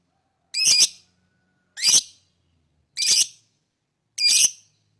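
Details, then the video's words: Lovebird chirping: four harsh, shrill squawks, each short and raspy, repeated steadily about every 1.2 seconds against a quiet background. "lovebird singing & chirping sound"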